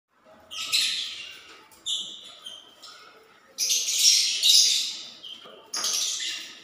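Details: Lovebirds building a nest before laying eggs, indoors; harsh, broadband screeching squawks in bursts of about half a second to a second, mixed with short high chirps, repeated irregularly.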